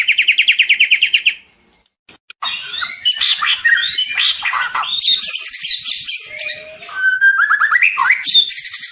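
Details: White-rumped shama, a young bird, singing loudly: a rapid run of repeated whistled notes, a brief silence, then a varied, rich stream of sweeping whistles, trills and chattering phrases.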